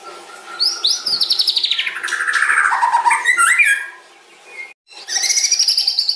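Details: White-rumped shama delivering a long, filler-rich song that quickly lures other birds: rich descending whistles and rapid buzzy trills tumble downward, then after a brief pause a high rattling trill resumes.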